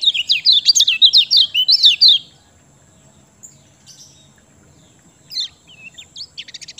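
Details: A lively two-second burst of rapid, high, swooping chirps from a lemon-bellied white-eye, used to coax quiet birds into song, followed by near silence and a few soft twitters.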